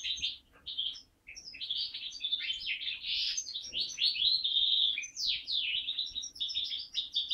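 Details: Linnet × Waterslager canary mule, bred in captivity in 2012, delivers a continuous fast warbling song of chirped notes, rolling trills and sweeping whistled phrases, steady and unbroken throughout.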